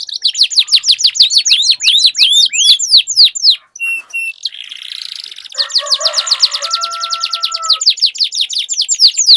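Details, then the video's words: Canaries duelling in song to trigger long rolling song in a silent bird; a fast trill of repeated notes, a brief pause with short chips and a lower tone, then another long rapid trill. "Duel Burung Kenari Suara Merdu Ngerol Panjang || Pancingan Ampuh Kenari Macet Langsung Gacor Ngerol"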